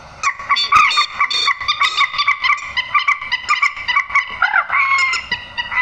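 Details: Nasal, trumpeting squawks of a grey-headed swamphen, a call used for netting birds at night, delivered almost continuously in rapid pulsed runs with a brief wavering note near the end.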